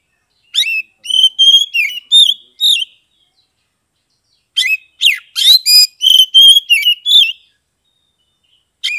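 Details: Oriental magpie-robin of Kebumen, Central Java, in 'ngeplong' song: two long bouts of loud, varied whistles, slurs and trills, each lasting about two to three seconds, separated by a short silence.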